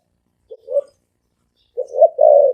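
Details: Spotted dove with a deep, ringing voice: a short low coo, a pause of about a second, then a fuller three-part phrase ending in a long sustained hoot.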